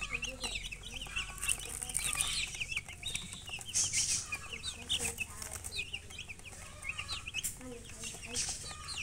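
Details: Many colored baby chicks chirping: constant overlapping high peeps and quick slurred notes, with occasional soft lower sounds and scratchy rustling beneath.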